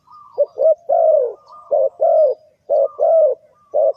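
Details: Close spotted dove calling to lure birds into a trap: rapid run of soft coos, each phrase a short note then a longer, slightly falling one, repeated nearly without break.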